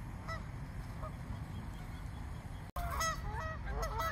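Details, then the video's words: Frightened swans from a flock of over one hundred in a small park: scattered faint honks at first, then after a brief break a burst of louder, overlapping trumpeting calls from several birds. "Flock of frightened swans"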